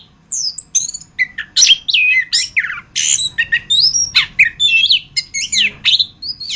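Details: Anis kembang, the orange-headed thrush, in a masteran recording: an unbroken stream of varied squeaky, slurred and squawking notes jumping between high and mid pitches.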